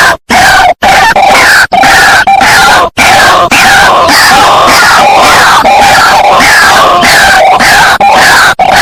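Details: White-breasted waterhen lure call for attracting the birds: an unbroken, harsh, clamorous racket of overlapping grating notes, rhythmically pulsing, with only a few brief gaps.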